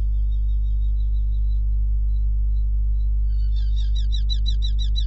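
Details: Hobby falcon at the nest in Hungary on 5 July 2016, calling loudly before going back onto the eggs; faint thin whistles at first, then an accelerating burst of sharp, repeated high kew notes, with a steady low hum underneath.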